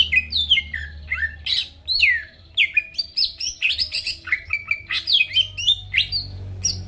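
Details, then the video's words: Greater green leafbird singing vigorously, meant to make rival birds start singing; a dense, varied torrent of sweeping whistles and sharp slurred notes with barely a pause. "PANCINGAN CUCAK IJO GACOR BUKA PARUH BIKIN LAWAN CEPAT ON LANGSUNG EMOSI DENGAR SUARA INI"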